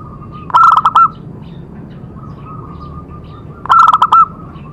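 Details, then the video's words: Perkutut or zebra dove singing, meant to spur other doves into song: two sharp bursts of quick, punchy coo notes about three seconds apart over a faint, continuous background of softer cooing. "Cocok untuk terapi semua jenis perkutut pasti nyamber"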